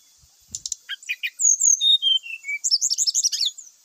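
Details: Brown-chested jungle flycatcher singing energetically, used as a lure to trigger other birds into song: a few sharp chips, a descending series of clear whistles, then a fast jumbled warbling run of high notes.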